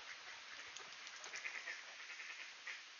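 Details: Ducks greeting at a door in Sainte-Adèle, Quebec, Canada, late morning of 16 September 2024 under clear skies, 18°C; soft scattered quacks rise briefly over a steady background hiss.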